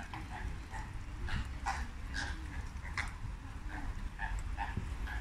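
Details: Flamingos on a late Thursday afternoon, calling together as a flock: short nasal honks repeat steadily throughout, many birds overlapping, with a constant low rumble of background noise.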